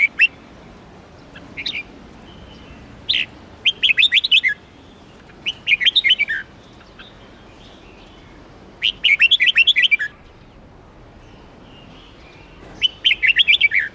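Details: Melodious phrases from a red-whiskered bulbul: clusters of fast, bright whistled notes repeated at intervals of a couple of seconds, with some fainter single notes between bursts.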